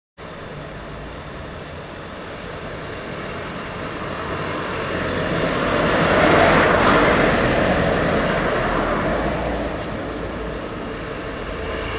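Steady road traffic roar that swells as a vehicle passes midway, with no animal voices.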